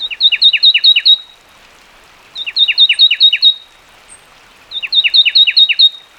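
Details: Three repeated song phrases from a fulvous wren, roughly every two and a half seconds, each a fast string of five or six paired notes, high whistle dropping to a lower slur, with quiet gaps between.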